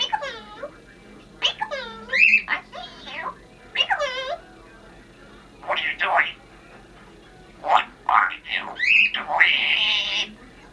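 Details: A female Congo African grey parrot talks for a New Year greeting: a string of clear, tonal, speech-like syllables with sliding pitch and short gaps between phrases.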